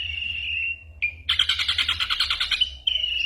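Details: Ashy drongo in a tutor recording for songbirds, imitating varied sounds: a level whistled tone, a short break, then a rapid rattling run of pulsed notes before the steady whistle returns.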